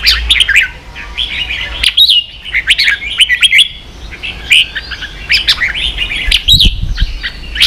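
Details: Red-whiskered bulbul singing the 'ché' song used to train young birds: dense warbling with rapid whistled trills and chirps, almost unbroken. Faint thumps are heard near the end.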